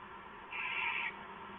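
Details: Owl on a live camera, 5 March 2014 at 9:43 PM, giving one harsh, hissing screech about half a second long over steady background hiss.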